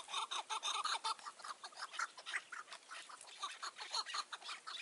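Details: Chukar partridges calling on a mountain in June 2018 around evening dusk while a wild bird is lured toward a trap; dense, loud, overlapping chuckling notes repeat about twice a second, with possibly more than one caller.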